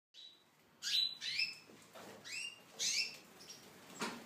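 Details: Tunisian goldfinch kept in an aviary, giving a loose series of short, bright, buzzy chirps that sweep through a high register, about seven notes in quick succession with brief gaps.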